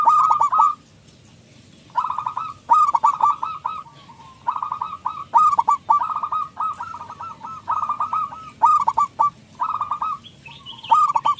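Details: Zebra dove, a local bird with a big voice, used as a lure to make other doves sing: repeated bursts of quick, bubbling coos at steady mid pitch, several phrases in succession, with occasional sharp clicks.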